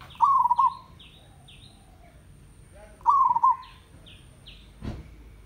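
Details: Zebra dove from a village, singing two bubbling, trilled coos about three seconds apart. Higher downslurred notes from other birds are scattered around them, and a sharp click is heard near the end.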